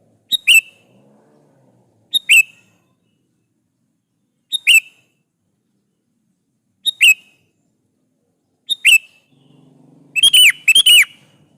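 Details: A lively sooty-headed bulbul sings a lure song to draw answers from other bulbuls. Short clicky whistled phrases come every two to two and a half seconds, ending in a faster, louder cluster of repeated notes.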